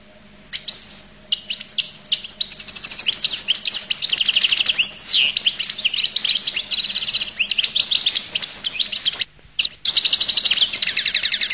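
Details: Collo goldfinch sings almost continuously: long, varied sequence of fast twitters, buzzy trills and sliding chirps, briefly interrupted once near the end before resuming.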